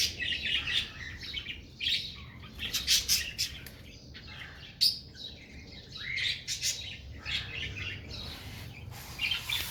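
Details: A female cockatiel, which the owner believes is sad and angry after the deaths of her two chicks, gives harsh, scratchy screeches and chirps, several per second in uneven bursts, over a faint low hum.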